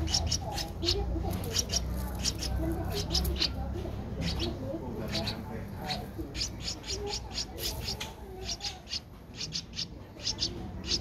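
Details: Streak-eared bulbul chick, 12 days old, eyes opened at seven days, Ubon Ratchathani, Thailand, 14 April 2023: thin high chirps in irregular runs over a steady low rumble.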